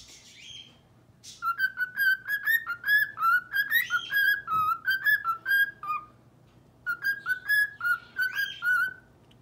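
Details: A male pet cockatiel in his cage at night whistles the He-Man theme song, learned over a year earlier, in clear, bouncing phrases of rising and falling notes.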